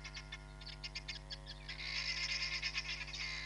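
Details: A hamerkop at Nkorho Bush Lodge, on a live cam on 31 July 2021, calls with rapid, high squeaky notes, about three per second, building into a dense chattering run, over a steady low electrical hum.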